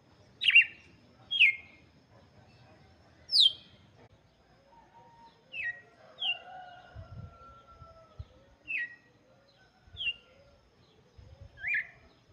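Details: Red-cowled cardinal song aimed at chicks: eight clear, falling whistled notes of varying pitch at uneven intervals, with some quieter notes and a few low thumps in the background.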